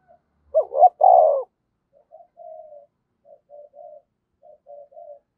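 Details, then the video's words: Decoy spotted dove in the 'giọng thổ' voice, calling to provoke wild doves to answer. One loud three-part coo, two short notes and a drawn-out hoarse one. A run of quiet, short murmuring coos follows. "chim cu gáy thúc và gáy gọi cực đỉnh, chim cu gay kich boi nhanh noi"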